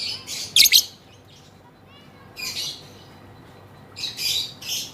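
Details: Female lovebird giving short bursts of sharp, high chirping chatter: one loud cluster early, a fainter burst mid-clip, then a final run of chirps near the end, with quiet pauses between.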